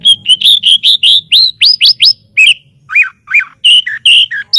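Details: White-rumped shama song used as master audio for training birds: loud, varied whistled phrases, a quick run of rising notes, then slurred downward notes and chirps, fast with about two or three notes each second.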